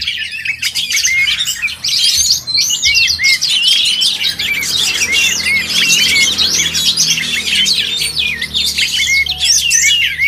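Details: Oriental magpie-robins at a songbird contest, several birds singing at once: a dense, continuous tangle of high whistled notes, rapid chattering trills and upslurred phrases, overlapping without pause, with a faint low hum beneath.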